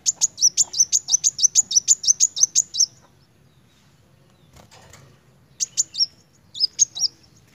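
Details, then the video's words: Sunbird (kolibri wulung) singing vigorously: a rapid run of thin, high, sharp notes, about four a second, then a pause and two brief bursts of the same notes. "Kolibri wulung gacor narung!"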